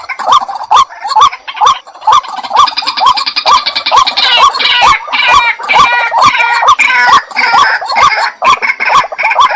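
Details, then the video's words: Repeated croaking calls of a white-breasted waterhen at about two per second, overlaid in the middle by a tangle of higher, overlapping voices that then fades back to the steady series. "Jal murgi bird video & sound effect || water hen bird video"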